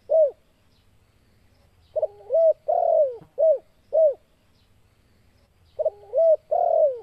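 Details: Spotted dove (Spilopelia chinensis) coo call meant to challenge rival doves to fight: soft, hollow coos in a repeated phrase, a short note then longer drawn-out coos, twice in seven seconds, over a faint low hum.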